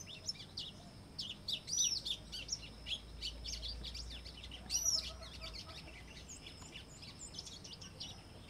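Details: White-throated seedeater (Sporophila albogularis) singing a rapid, varied run of high, sharp chirps and short twittering notes, with brief pauses between bursts and a faint low rumble underneath.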